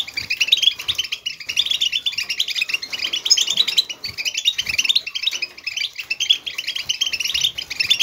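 A European goldfinch sings a fast, unbroken stream of bright tinkling twitters and buzzy trills, high-pitched and lively throughout, with faint background hiss.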